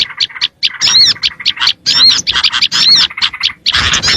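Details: Small-bird lure audio: quick bursts of high chirping with a few clear, arching whistled notes repeated roughly every second, separated by short silences.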